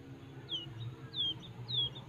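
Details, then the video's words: Wild quail chick, raised by hand from small, giving three thin, high, downslurred peeps about every 0.6 seconds over a low background hum; its call is said to be usable for luring mongooses. "ANAK BURUNG PUYUH LIAR"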